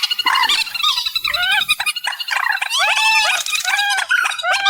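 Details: Reed warbler delivering a rasping, varied song at high volume: croaking chatter first, then clear repeated arched notes in quick succession.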